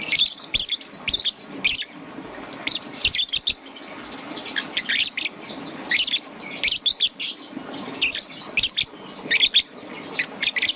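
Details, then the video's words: A young peach-faced lovebird, green and yellow, chirping in the morning with steady series of brief, shrill, scratchy notes, some doubled, spaced through the recording. "Relaxation of Lovebird's melodious chirping sound - Young Peach Face Lovebird"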